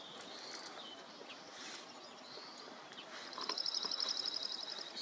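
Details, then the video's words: Dark-eyed junco, a North American bird, singing in a small coastal garden at Rattray Head, Aberdeenshire, on a morning in May 2023. A quick, even, musical trill fills the second half, over steady background noise and faint high notes. "Dark-eyed Junco - (singing)"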